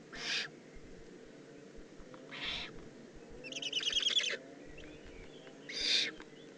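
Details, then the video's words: Eurasian eagle-owl youngster in the Eifel, 18 June 2016: three raspy hissing bursts about two seconds apart, with a rapid stuttering chatter lasting under a second between the second and third hiss. "Eifel Uhu Junior3"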